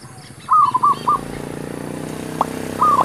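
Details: Zebra dove luring wild doves during trapping: a run of bubbling coo notes with one trailing note, a single sharp click, then the start of another run. A steady low drone sits underneath.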